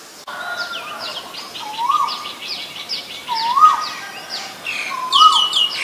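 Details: Male Asian koel giving three loud rising two-part notes at about 1.5-second intervals, each swelling upward and levelling off, while many small birds chirp and twitter busily at a higher pitch throughout.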